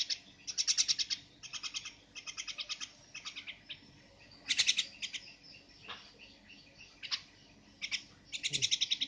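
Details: Javan myna producing loud, clipped, rasping rattles in separate bursts of several rapid notes each, spaced by short silences, with some softer scratchy notes between.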